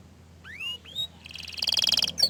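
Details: Orange frost canary giving two rising slurred whistles, followed by a quick pulsed buzzy trill.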